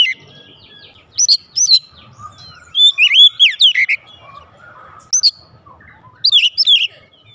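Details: Oriental magpie-robin kept at home, calling back loudly: scattered high chips, then a run of rich looping whistles, followed by short sharp bursts with quiet gaps.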